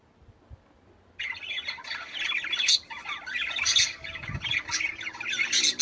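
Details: Budgerigar song meant to encourage birds to mate: after a second of quiet, dense chattering warble begins, busy squawks, chirps and clicks running continuously with bright peaks.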